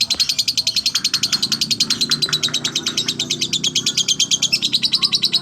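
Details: Lovebird performing slow ngekek song, an unbroken stream of shrill, rapid chattering pulses, roughly eight per second, holding an even pace and loudness for over five seconds.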